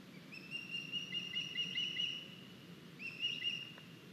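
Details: Osprey nest in Estonia, 9 August, with a young bird arriving carrying a big fish: drawn-out high whistled calls with slight wavering, a long phrase then a shorter second one after a brief gap.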